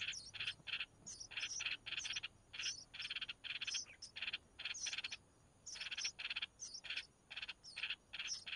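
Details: Begging chicks of a red-whiskered bulbul while their mother feeds them, short raspy bursts repeated roughly twice a second in uneven groups, each capped by a thin high squeak.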